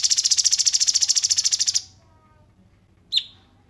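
A Hill Prinia gives a fast, even run of about twenty high, sharp chipping notes in under two seconds, then pauses before one lone note.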